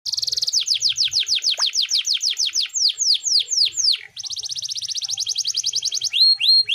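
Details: Canary singing to coax quiet canaries into song. A buzzy trill leads into a run of loud, sweeping downslurred whistles, then a rapid steady trill, ending with a few rising whistled notes.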